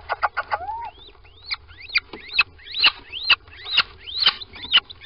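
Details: Little owl squeaking at a nest box in Sprundel on a February 2020 morning, as two birds go in: thin rising whistled squeaks repeated rapidly, mixed with sharp clicks and scratchy noises, one lower upslurred note early on.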